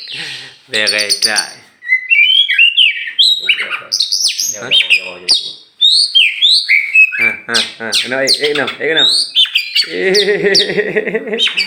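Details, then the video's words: Tame champion oriental magpie-robin from Meulaboh, Aceh, flying free before being caged. It pours out dense, varied song of whistles, chirps and harsh nasal notes, ending in a fast, wavering trilled rattle. "kacer juara"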